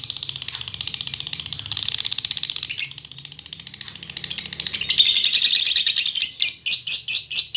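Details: Female fighter lovebird, chattering as much as a male, recorded as tutor audio: an unbroken high, buzzy stream of fast pulses swells and fades, then breaks into a run of about six separate sharp chirps.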